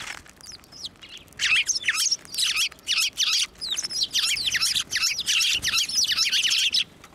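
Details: Several sparrows at a shrine (Tenmangu) on 11 March 2024, flying onto a hand to be fed; dense bursts of sharp, bright chirps, many overlapping, coming in quick clusters after a quieter start.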